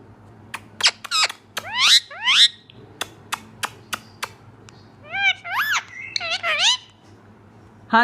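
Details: Talking green rose-ringed parakeet speaking Urdu words, saying mian mitho and choori khani at speed: sharp clicks and short rising squawked syllables, a pause, then a run of wavering speech-like phrases, with no other sounds.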